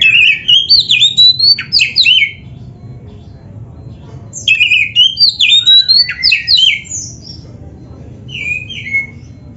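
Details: Oriental magpie-robin 'full isian' training song for caged birds. Two bursts of varied whistled phrases, rising and twisting, are separated by a quiet pause, and a brief soft phrase closes.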